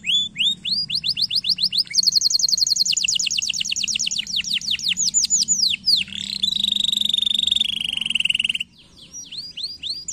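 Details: Domestic canary singing a training song intended to stimulate lazy birds: rapid descending whistled notes give way to a dense, very high rattling roll, then a sustained buzzy trill, a short pause, and renewed quick falling notes.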